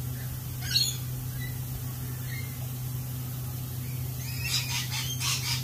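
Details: Lorikeets at a lorikeet cafe: a single shrill squawk early on, then a quick run of harsh, buzzy screeches near the end, all over a constant low droning hum.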